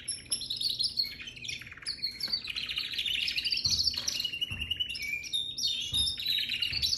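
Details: Baby canary singing a continuous, high, varied warble of twittering chirps, trills and sliding notes, with faint low thumps now and then.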